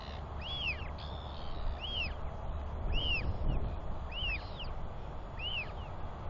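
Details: A Royal albatross chick wheeing near its father, who has come back three days in a row to feed it and preen it, 9.6.21: five clear arched whistles, rising then falling, about one per second, over low wind noise.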